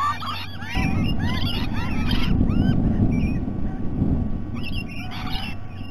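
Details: Several rainbow lorikeets at breakfast time at Sydney Olympic Park, Australia, give rapid, shrill, chattering screeches in overlapping bursts over a steady low rumble of wind.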